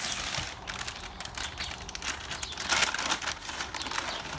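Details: Bright crinkling and rustling, like a bag or wrapper being handled, crackles continuously with sharp clicks; no animal voice is heard.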